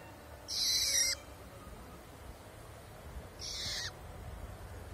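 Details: Long-tailed shrike calling in the wild: two loud, grating, buzzy bursts about three seconds apart, each with a falling tail, against steady background noise.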